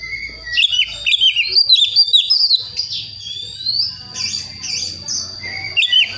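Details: Young forest-born Oriental magpie-robin of the Priangan type from West Java, practising its song toward the full ngeplong style: rapid, varied high whistles and chirps with sliding notes, a steady high-pitched tone running throughout.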